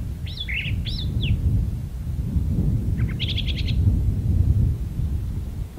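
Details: Brown thrasher in a magnolia tree singing doubled arched slurred notes, then a short rising phrase and a rapid rattling trill of repeated clicks, with persistent low background rumble.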